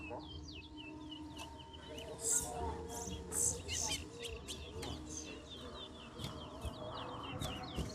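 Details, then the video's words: Chestnut-bellied seed finch, called towa towa, singing in a bird singing competition: thin, quick, twittering phrases of high slurred notes run on continuously, with background chatter and a man speaking. "TOWA TOWA BIRD SINGING COMPETITION"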